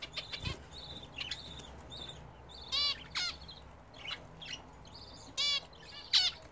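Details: Pet budgerigars at their first bath in a new bath attachment: thin steady whistled notes under several loud, ringing, harmonic chirps, spaced a second or more apart, over low indoor hum.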